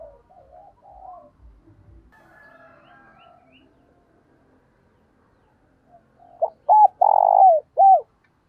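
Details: Decoy spotted dove calling to draw in wild doves; faint distant twittering gives way after a long quiet gap to a loud coo phrase of hooked notes and a long falling rough coo.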